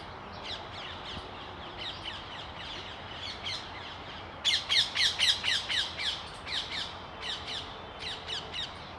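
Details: Oriental magpie-robin in New Delhi, India, 18 January 2021, giving harsh, scratchy notes at about four per second, with a louder burst midway, over a steady background hiss.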